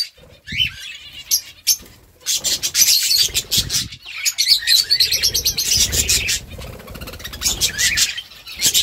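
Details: Budgerigars calling back and forth with busy, chirpy warbles and short sharp tweets, many birds at once, with scattered wing flaps and rustling underneath.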